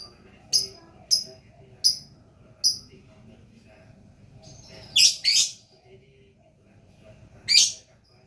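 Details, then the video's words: Lively gacor lovebird: four clipped, high chirps spaced under a second apart, then a longer grating double burst of chatter and one more shrill burst near the end. "Love Bird Gacor"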